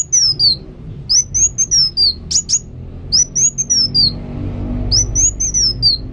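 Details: Actively singing kolibri wulung sunbird delivers runs of high, wavering whistled notes, several phrases in quick succession, broken by a couple of sharp clicking sounds and a low background rumble.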